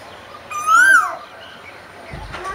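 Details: One strong koel note, a smooth upward-sliding whistle that bends down at its end, standing out over quiet background noise with a brief rustle near the close.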